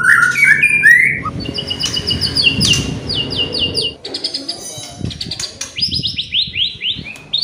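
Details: Singing white-rumped shama, used as a lure to make other birds sing: a fast whistled opening, then series of bright descending notes repeated in quick runs, with faint rustling beneath.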